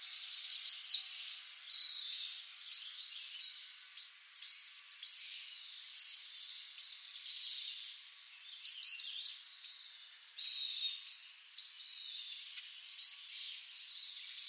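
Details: Common yellowthroat (Geothlypis trichas), eastern North America, sings a rapid, rolling phrase of repeated high notes, delivered twice about eight seconds apart.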